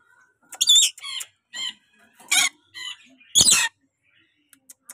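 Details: Tame, talkative pet rainbow lorikeet letting out a run of five rasping, buzzy squawks in quick bursts over about four seconds, the last one loudest, followed by near silence with faint clicks.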